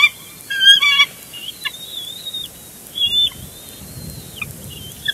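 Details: Bald eagles at a nest at Big Bear Lake, filmed by a live nest camera on 29 April 2022 while a young eagle gets a snack and flaps its wings; sharp chirped notes in short rapid bursts, then thin, high, wavering whistled calls.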